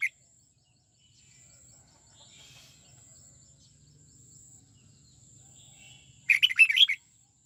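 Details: Caged red-whiskered bulbul practicing the twisting '89' song gives one quick burst of sweet, rolling warbled notes near the end, after a long hushed pause with faint chirping and low hum.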